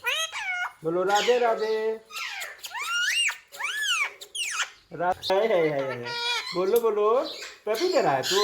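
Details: Caged pet rose-ringed parakeet repeating learned words like mummy and papa indoors; rapid run of nasal word-like syllables, sliding squeaky whistles and harsh chattering, almost continuous over several seconds.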